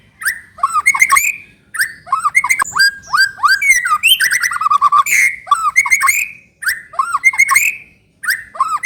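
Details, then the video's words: White-rumped shama, trotol lure to make another bird sing readily: continuous loud medley of looping whistles, sharp chips and rapid trilled runs in phrases about a second long with brief pauses. "PANCINGAN MURAI BATU TROTOL AGAR CEPAT BUNYI GACOR"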